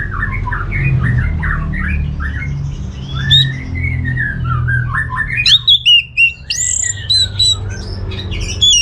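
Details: Orange-headed thrush song played as a lure to make other birds answer: varied whistled phrases around mid pitch, then a louder burst of sharp high notes and rapid trills near the end, over a low steady hum.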